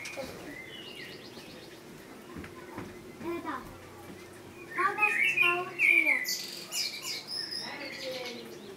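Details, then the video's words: Song of a Common blackbird (Turdus merula): fluted whistles and scratchy high twittering, rising to a louder passage in the second half, with human voices faintly in the background. "Blackbird song - Turdus merula - შავი შაშვი"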